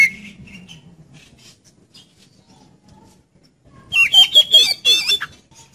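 An Oriental magpie-robin gives a loud, rich burst of rapid, slurred and harsh notes near the end, after a few faint high whistles over a low murmur.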